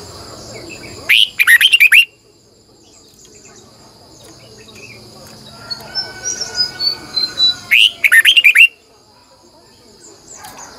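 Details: Red-whiskered bulbul sings a long twisting double-voiced morning song as a lure bird: two loud bursts of rapid rich whistled notes some six seconds apart, with softer chirping phrases and faint high tones between.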